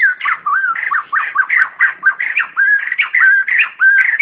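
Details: White-crested laughingthrush calling the flock, a clean recording meant as a lure for trapping or training kept birds: loud, fast run of looping whistled and chattering notes, rising and falling, in quick bursts throughout, no other sounds.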